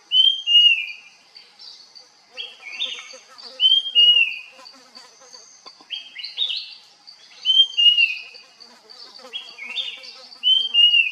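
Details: Puff-throated babbler calling while foraging: short, bright whistled notes with slurred, rasping edges, delivered in tight bursts of two or three roughly every three seconds, over a steady high-pitched insect drone.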